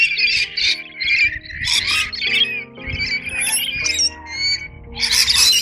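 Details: Wild Noisy Miners, unseen on top branches in east-coast Australian woodland, upset at rainbow lorikeets feeding on the same nectar: harsh, scratchy squawks and chattering in quick bursts with shrill higher chirps, over steady background music.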